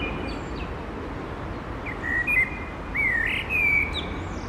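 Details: Common blackbird singing: two clear, flute-like phrases, a level whistle and then a swooping, rising and falling warble, each trailing off into thin, high-pitched squeaks.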